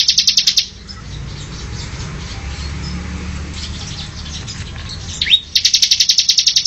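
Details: Bar-winged prinia singing actively as a training track for cage birds: rapid, rattling trills of high, evenly spaced chips open and close the passage, with a single slurred note before the final trill and a quiet, noisy gap between.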